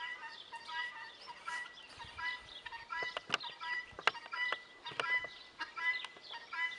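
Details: Guineafowl giving loud, harsh, harmonic calls repeated roughly every second in a rhythmic chorus, with scattered sharp clicks and knocks in between.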